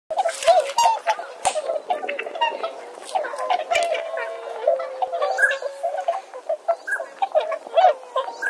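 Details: Swans in Saitama, Japan, a flock giving many overlapping honking and bugling calls, some notes held and wavering, others short and clipped, forming a continuous busy chorus.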